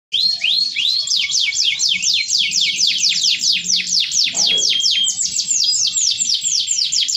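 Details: Canary singing a long, richly varied song in a cengkok mewah style, with rapid repeated downward-sweeping high notes rolling into trills and rising whistled phrases, sustained loud throughout.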